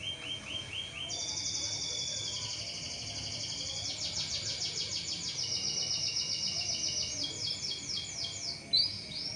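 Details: Canary lure song for prompting other canaries to sing: a steady high rolling trill changing pitch in several stages, over a noticeable background hiss.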